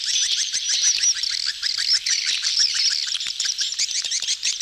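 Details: Gathering of mating swiftlets used as a lure sound: rapid high-pitched twittering from many birds at once, interlaced with clicking pulses, unbroken and lively.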